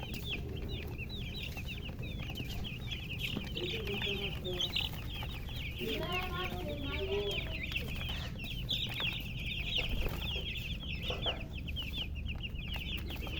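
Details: Colored chickens chirping in a dense chorus of high, overlapping peeps throughout, with lower soft clucking notes mid-way and a constant low background hum.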